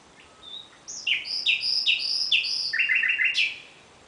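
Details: A common nightingale sings in the night: a long phrase of evenly repeated high whistled notes, each sliding downward, speeding into a quick trill before ending on a sharp high note.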